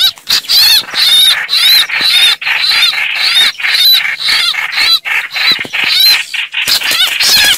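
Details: Chao chảo bird calls, a recording said to work well for luring birds into traps: dense, harsh, chattering notes with squeaky upper tones, repeated rapidly and almost without pause, possibly several birds calling together.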